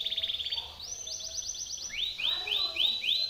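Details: Timbrado canary training song: a quick pulsed trill, then a steady high repeated series, then loud rising upswept notes repeated about four times a second.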